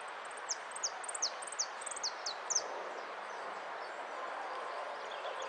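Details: Hooded siskin at a singing contest in Monte Grande, 18 January 2015: a quick run of thin, high, downslurred notes, about four a second, for two seconds, over a steady broad background hum.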